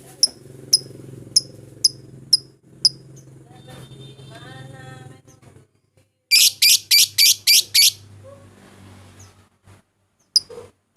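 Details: Lovebird calls used as a lure to call out rivals and get a bird singing: scattered sharp ticks, a low hum, then a rapid burst of six harsh, shrill screeches.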